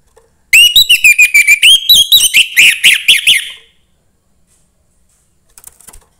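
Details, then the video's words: Song of a young forest orange-headed thrush, played to stimulate other thrushes: a three-second stream of quick clear whistles and twittering notes repeated about four per second, ending abruptly, then faint notes near the end. "suara anis merah MUDA HUTAN meningkatkan felling anis merah lain"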